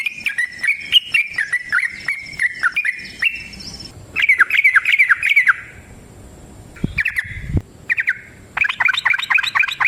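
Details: Sooty-headed bulbul in long fighting song (ropel panjang tarung), used as a lure to make other bulbuls sing back: bursts of bright chattering notes, pauses between phrases, a few sharp knocks near the end.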